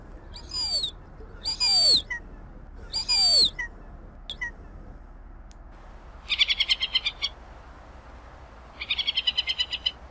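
Hen Harrier giving three loud, harsh, down-slurred screams, then two quick rapid chattering bursts of about ten notes each.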